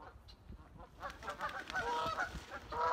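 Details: In spring, geese honk in overlapping nasal calls as they defend territory and nest spots from other geese. The calling starts quiet, then builds into a busy chorus of several birds from the middle of the clip onward.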